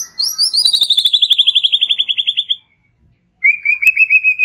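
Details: Relaxed shama song for prompting young birds: a rapid, very high pulsed trill falling steadily in pitch, with sharp clicks mixed in, a pause, then a lower steady pulsed trill.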